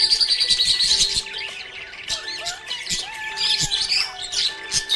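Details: Happy budgerigar chirping in rapid, busy high warbles and tweets, about three notes a second, while soft sustained musical tones hum underneath.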